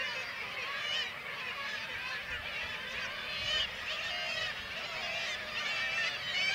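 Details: Kittiwakes in Varangar, Norway, with white-tailed eagles preying on chicks; a constant noisy mass of many nasal, warbling calls, with a few louder bursts standing out.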